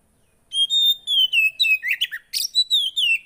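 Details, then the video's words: Javan white-eye song: a bright, high, downward-gliding whistle leading into a quick series of chirps and twitters, repeated several times a second. Used to prompt a silent bird to sing. "Ampuh Buat burung poci yg Macet"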